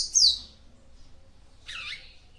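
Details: A female papa-capim seedeater, calling to rouse the male, gives a high descending chirp and, after a second of quiet, a harsher, broader buzzy note.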